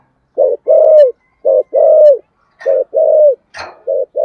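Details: Decoy spotted dove singing, a close, clear cooing phrase of short coos alternating with longer, slightly falling coos, repeated in a steady pattern, with a brief knock or scrape near the end.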